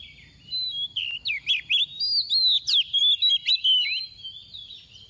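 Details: Female oriental magpie-robin kept as a decoy, singing in the 'tìu tíu tiu' manner to provoke others; a steady flow of clear, rapidly repeated whistles with swooping rising and falling slurs.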